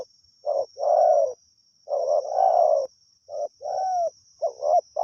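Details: Spotted dove, a wild bird, recorded during decoy luring, cooing in continuous phrases: short hoarse notes followed by longer mellow drawn-out coos, repeated about every second and a half over quiet background with a steady high hiss.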